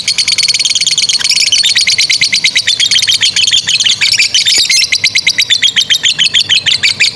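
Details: Lovebird performing an extended ngekek trill used for training young birds, a rapid train of sharp, high chattering notes, quickening then settling into steady pulses toward the end.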